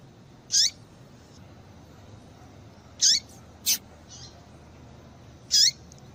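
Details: Female double-collared seedeater giving male-stirring calls: four piercing, high chirps with downward-sweeping tails, roughly every two and a half seconds, plus a faint softer note, over a light steady hiss.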